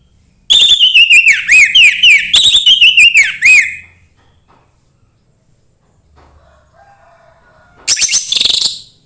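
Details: Orange-headed thrush song played to encourage a bird to sing: a fast series of looping, rising and falling whistled notes over about three seconds, a pause, then a further burst of high notes.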